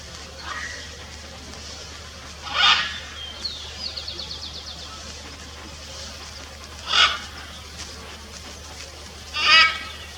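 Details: Blue-and-yellow macaw giving three loud, harsh, raspy squawks spaced several seconds apart, with a quick series of faint rattling ticks between the first two calls, over a steady low hum.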